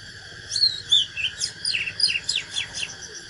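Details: Oriental magpie-robin singing its fighting song: a continuous, energetic series of varied whistles and sharp down-slurred notes, about ten in three seconds, with a steady high drone beneath.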